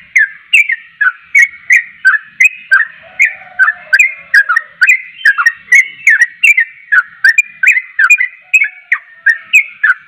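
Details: Persistent, energetic Javan pied starling song, said to set listening starlings calling back; about ten seconds of clipped, descending whistles in quick regular succession, with a soft low trill around the midpoint and a clean quiet background.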